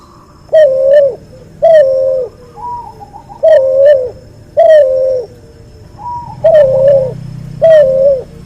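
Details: Barbary dove bred from a white albino dove crossed with a pelung dove, recorded as a tutor track: seven low, steady, resonant coos of about half a second each, spaced roughly a second apart, with softer higher wavering tones between some.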